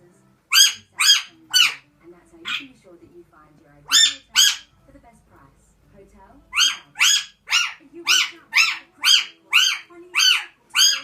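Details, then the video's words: A pet Alexandrine parakeet makes a weird noise: loud, harsh, buzzy squawks, first in short bursts of three, then a steady run of about a dozen at roughly two per second. "Alexandrine parrot makes a weird noise"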